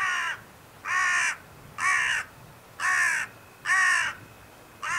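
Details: Carrion crow calling at Scheveningen, Netherlands, on 31 January 2021: harsh, hoarse caws, each about half a second long, repeated about once a second, five in a row with a sixth starting at the end.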